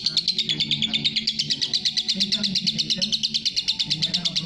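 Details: Lovebird in long ngekek chatter for masteran: rapid, evenly repeated shrill pulses, about three per second, sustained and bright throughout, with faint low background rumbling.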